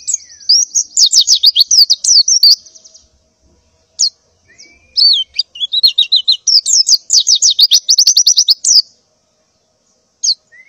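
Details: Morning calls of a breeding-condition female white-eye seeking a male, given as bursts of fast, high chirp series, each a couple of seconds long, separated by silences, with a thin rising whistle between.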